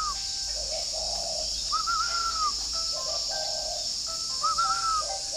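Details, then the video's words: In a northern Vietnamese bird garden at Ba Vì, Hanoi, a spotted dove gives low, soft coos on a morning, alternating with bright, falling whistles under a dense buzzing insect chorus. "buổi sáng uống cà phê mà nghe em này gáy thi đã"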